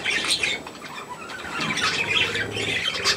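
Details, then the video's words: Budgerigars and young birds with millet, with quick squeaky chirps and twitters crowding together in a short, lively burst of flock chatter. "Hirse und die Jungen Wellis"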